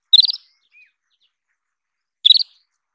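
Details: Single Isabelline wheatear call bursts of five quick harsh chirps, two seconds apart, with a faint short whistled note between them; otherwise quiet.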